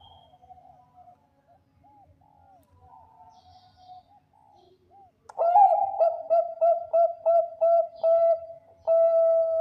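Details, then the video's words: Zebra dove of the Bangkok type sings to lure others: soft, faint cooing phrases at first, then a loud rolling coo and a fast string of short notes ending in a long held note. "PERKUTUT BANGKOK JUARA SUARA JOS UNTUK PANCINGAN PERKUTUT BANGKOK LAIN"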